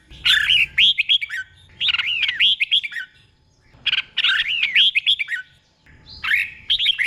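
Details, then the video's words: Tutor song of a caged red-whiskered bulbul from Thailand, sung to train other birds: loud liquid whistled phrases, each a quick run of swooping notes, delivered in three separate bursts with brief silences between them. "เสียงนกกรงหัวจุก | สุดยอดนกครู เบิ้ลชัดๆ เบิ้ลเป็นคู่ๆ"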